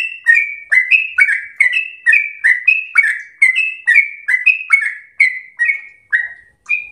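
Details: Yellow-vented bulbul (trucukan) in captivity, recorded as tutoring material, gives lively 'gacor ropel slow' song: bright whistled notes stepping up and down in a continuous bubbling string, ending with a lone high whistle.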